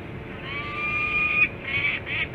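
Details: Peregrine falcon in Pennsylvania on January 25, 2021 at 11:55, giving a drawn-out harmonic wailing call about one second long, then shorter broken notes, over steady low rumbling background noise.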